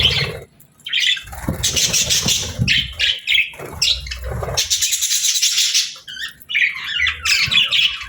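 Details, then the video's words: Lively budgerigars chirp in busy, uneven bursts: shrill twittering and buzzy squawks separated by short pauses, over faint low background sounds. "Happy Parakeets Sounds"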